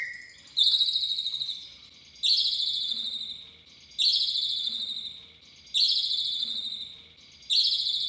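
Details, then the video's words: Javan pied starling lure call for coaxing long full-repertoire singing: one loud, harsh, descending squawking phrase repeated identically about every 1.7 seconds, with a thin whistle between repeats. "Suara Pancingan Jalak Suren Agar Bongkar Isian Cililin Durasi Panjang"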